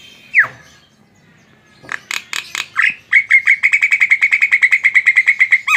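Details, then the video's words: Javan myna in lively gacor song: a sharp downslurred whistle, scattered harsh bursts, then a fast, steady run of buzzy, clipped notes repeated about three times per second, ending on a rising note. "SUARA BURUNG JALAK KEBO GACOR"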